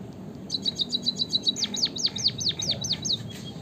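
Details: An active white-headed munia (emprit kaji) gives a quick string of short, high, level notes, then speeds into a run of loud, sharply descending slurred notes, ending on a soft trailing pipe.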